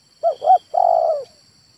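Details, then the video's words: Male spotted dove uttering one phrase: two short rounded coos then a long, rough, gently falling coo, clear and close. "SUARA TEKUKUR JANTAN"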